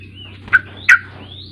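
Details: Sooty-headed bulbul singing, played to coax a young untrained bird into voice: a pair of loud, throaty notes with faint drawn-out whistles before and after, all over a low background hum.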